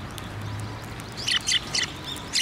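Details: Sparrows approaching to be fed at a Tenmangu shrine on 15 December 2023: a few short, sharp chirps in quick bursts in the second half, over a steady low hum.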